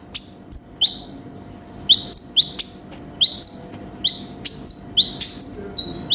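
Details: Brown-throated sunbird (konin), 'gacor full isian' song: a busy string of piercing high chirps, each starting sharp and sliding down into a brief whistle, delivered in quick doublets across six seconds over a faint low hum.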